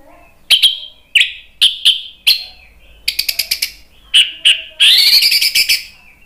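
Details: Song of the orange-headed thrush (anis merah) meant to get a bird singing: short sharp whistled notes spaced about half a second apart, a quick rattling run of clicks, then a dense bright warble.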